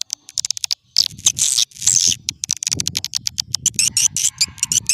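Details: Old-style swiftlet lure call used to attract swiftlets: rapid high buzzy chirrs and clicking chatter in quick, uneven bursts.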